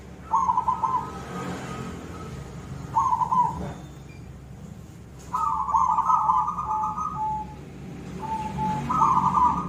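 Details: Koong-style song of a silver zebra dove: short trilled coos separated by quiet pauses of two to three seconds, then a longer wavering phrase and a final rolling burst, against a low continuous hum.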